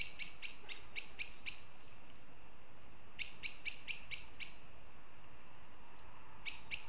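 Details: Northern goshawk calling in Riga, Latvia, giving three rapid bursts of hard, nasal kek-like notes, about five per run, with brief silences between runs and constant low ambient noise.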